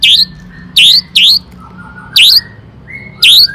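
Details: Long-tailed shrike, a singing bird used to provoke other shrikes into song: five loud, sharp rising buzzy notes spaced irregularly, with softer flat whistled tones between them.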